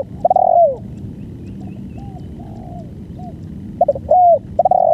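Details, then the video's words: Banggo-style song of a spotted dove in a long-duration recording. A loud, drawn-out descending coo opens the clip, softer distant coos follow, and two stuttered notes then a long falling coo close it. "BANGGO full||Durasi panjang"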